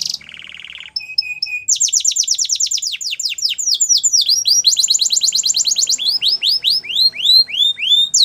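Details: Canary training song, strong and varied: opens with a buzzy note and short piping notes, then long rolling trills of rapid downward sweeps, ending in slower looping whistles.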